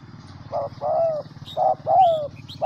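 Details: Spotted dove, a decoy bird from Vietnam's Central Highlands, gives low, mellow coos in pairs: a short note, then a longer falling one, repeated. Faint higher chirps from other birds and a steady low hum sit underneath.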